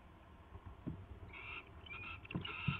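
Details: Owl at the nest at 4:21 AM on 24 February 2016 during a mouse delivery and feeding: rough, hissing screech bursts around the middle and end, with low thumps and scuffling underneath.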